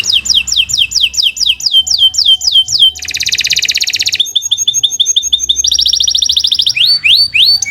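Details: Canary in continuous song for training other birds: repeated downslurred whistles, a dense buzzy roll, quick chattering notes, a bright fast trill and rising whistles to finish.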